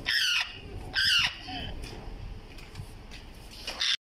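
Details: Yellow-crowned amazon (Amazona ochrocephala), squawk.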